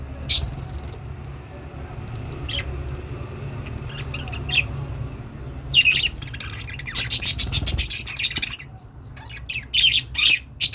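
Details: Budgerigar chatter over a steady low hum: occasional high squeaks, then a dense buzzy warbling burst and scattered sharp chirps toward the end.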